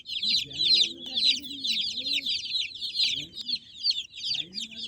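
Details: Many baby chickens peeping together in a steady, shrill chorus of short rapid chirps, with soft low murmurs underneath.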